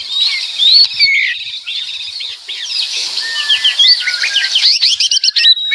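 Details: Loud White-rumped shama song packed with varied fill-in phrases. There are high thin whistles, buzzy rattling bursts and quick chirps in tight succession, and the notes grow rapid and choppy toward the end.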